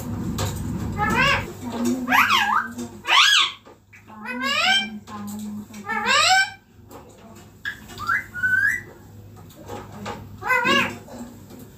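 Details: Green ringneck parrot, a pet sitting on a neem tree, giving a run of loud, squawky, rising-and-falling harmonic calls in short bursts, with a low human voice murmuring underneath early on.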